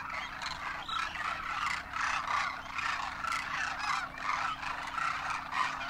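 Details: Wintering Demoiselle Crane flock in Rajasthan, India, juveniles on their first winter alongside adults, trumpeting in flight; a rhythmic, pulsing mass of overlapping rolling calls swelling and easing every second or so.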